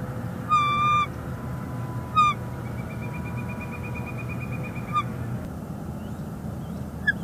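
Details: Nesting female bald eagle in northeast Florida, February 11, 2021, calling to her mate perched on a branch. Two short, shrill chittering bursts, a faint thin whistled tone, and a soft note near the end.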